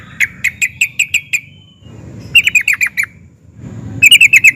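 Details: Sooty-headed bulbul in emotional, provoking song: a series of clipped downslurred notes, a quiet gap, a tighter burst of chattering notes, then a last fast run of bright notes, over low rumbling noise.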